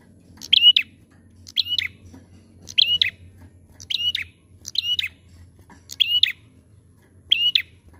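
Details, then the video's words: Prinia used as a singing lure, giving crisp, high chirped phrases, each a quick double note, repeated roughly every second over a faint low background hum. "PANCINGAN PRENJAK GACOR AMPUH!"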